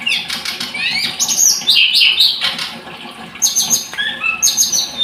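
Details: Scarlet-headed flowerpecker song of rapid high, sharp notes mixed with sliding whistles that rise and fall, delivered in quick irregular bursts with brief pauses between phrases.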